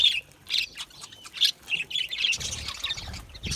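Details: Budgerigar chirping: separate high, squeaky chirps spaced about half a second apart, then a denser overlapping chatter with low rustling underneath.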